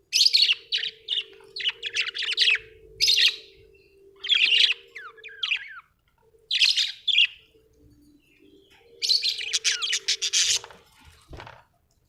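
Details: Pet budgerigars at home giving bursts of harsh, buzzy squawks and quick chirps, in clusters of notes separated by short pauses; a steady low hum runs beneath much of it.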